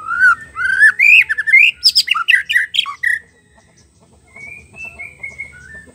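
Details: Wild forest white-rumped shama singing, used to prompt a silent caged bird: bright upward-sweeping whistles, then a fast run of harsh, chattering notes, followed by softer distant whistled phrases in a quiet background.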